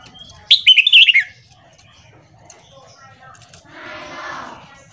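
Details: A red-whiskered bulbul gives a morning training song: one loud, quick whistled phrase of wavering, falling notes lasting under a second, followed by a soft hissing rustle and low murmur.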